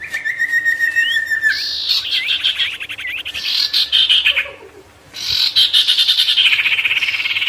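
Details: Loud Sirtu song used to call in and provoke wild birds: a long flat whistle with a rising tail, quick hooked notes, then rich buzzy warbling phrases that swell and continue.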